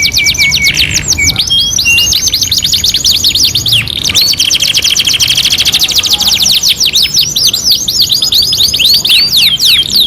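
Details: Canary in full song for training birds: opening flat whistles and downward sweeps, then a long fast rolling trill of bright repeated notes.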